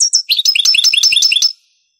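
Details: European goldfinch singing in the Spanish Granada style, from an original cassette of the 1980s–90s later converted to digital: a fast run of bright, high twittering notes with tinkling trills and short buzzy elements, lasting about one and a half seconds, then silence.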